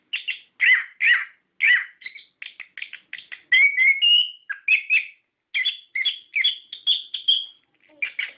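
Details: Singing orange-headed thrush, a lure track to set captive birds singing: quick clusters of harsh chirps give way to clear rising whistles and rolling trills, delivered in bursts with short silences between.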